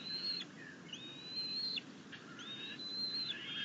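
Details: Bald eagle at a camera-watched nest during a rabbit and grass delivery on 6.10.21, with the eaglet keen to keep its food. Three long, thin, high whistles, each drawn out and slightly wavering, separated by short pauses over a steady low hiss.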